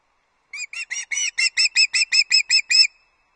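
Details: Osprey at Loch Arkaig on 31 August 2022, calling while delivering an early breakfast to the nest: a quick run of about twelve piercing, whistled chirps, around five per second, growing louder towards the end.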